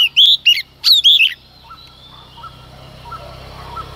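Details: Female Oriental magpie-robin singing in the early morning to stir males. A short rush of bright, wavering whistled notes for just over a second, then soft scattered chirps over low background noise.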